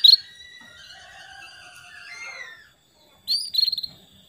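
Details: Female canary calling to a male, used as a lure to get male canaries singing energetically. A loud, sharp high chirp opens, then a faint thin warbling runs behind, and a burst of rapid stuttering chirps follows after a short pause.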